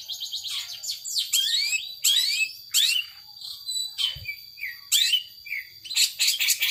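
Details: Power sobek song of a long-tailed shrike: busy bursts of high chirps and slurred whistles, with brief pauses and short upward notes between the phrases.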